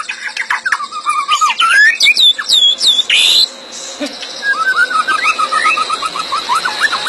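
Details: White-rumped shama, a prized songbird able to imitate other birds, singing a varied run of whistled, looping phrases and sharp upward notes, a brief noisy burst, then a series of quick, evenly repeated rising chirps.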